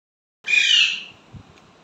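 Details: Pet Indian ringneck parakeet, a talking parrot said to say mummy and papa, lets out one harsh, broad squawk lasting about half a second. Silence follows apart from a faint knock.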